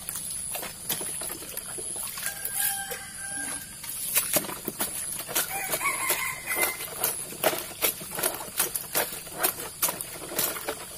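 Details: Two brief harmonic crowing calls from a Sumatran junglefowl in its enclosure, a few seconds apart, heard while its feeding and drinking containers are scrubbed with antibacterial floor cleaner; rhythmic brushing and knocking fill the background.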